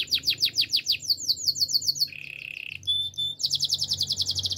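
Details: Gloster canary singing a training song: fast rolling trills of high descending notes, a steady buzzy lower trill, clear whistled tones, then a dense rapid high trill.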